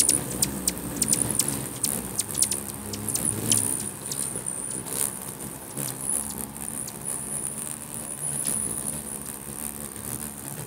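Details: Territorial squabbling at a busy hummingbird feeder in Bigfork, Montana; thin high-pitched twittering runs throughout, with rapid, irregular ticking bursts clustered early and a soft hum of wings underneath.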